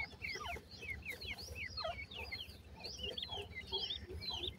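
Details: Chicks of grey francolin peep continuously, a dense tangle of thin, high, slurred chirps that often bend downward, several birds calling at once over a low steady hum.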